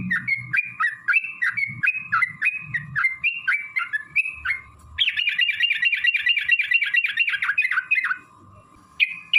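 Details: Sooty-headed bulbul song, long-trill style, used as a lure to provoke other bulbuls into singing: short whistled slurred phrases every half second, then a rapid rolling trill for about three seconds, over a steady background hum.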